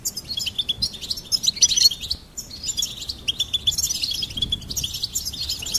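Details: Goldfinch song: rapid high chirps and tinkling trills in two bursts separated by a brief pause near the middle, the bird twittering almost continuously.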